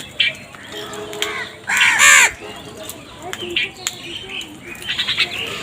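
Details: Crows calling, with one loud, harsh, drawn-out double caw in the middle, preceded and followed by scattered shorter squawks and chirps from other birds in the background.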